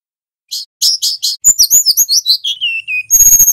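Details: Golden-bellied gerygone, wild-caught male and female, singing a loud tutor recording. Four buzzy high notes come first, then a jumble of quick whistles sliding downward, then a rapid high trill.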